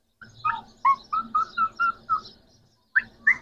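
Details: Green Pakistani talking parrots, three together: a string of seven even, rounded syllables in a speech-like rhythm, a short pause, then two more sharp rising notes.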